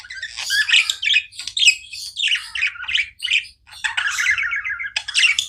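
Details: Budgerigars kept as pets chirping nonstop: dense, scratchy warbled chatter with squawky notes and rapid buzzy trills, in bursts with brief pauses, no other sounds.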